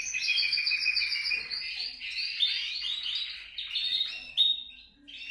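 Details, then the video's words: Canary singing to prompt other canaries into song, a steady stream of rapid trills and warbled rolls, changing notes frequently, with brief quieter dips near the end. "TU CANARIO CANTARÁ CON ÉSTE VÍDEO | CANTO CANARIOS"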